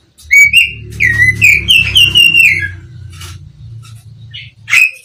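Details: A black-breasted Oriental magpie-robin from East Java delivers a phrase of six or seven looping whistled notes over a steady low hum, followed by softer clicks and one final upslurred whistle.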